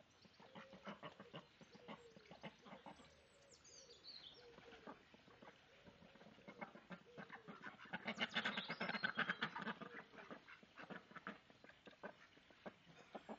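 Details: Several domestic ducks quack in rapid, overlapping bursts, rising to a louder, busier flurry, as two females (mother and daughter) wrestle for dominance, drakes mate with the dominant female, and females incite against an unwanted drake.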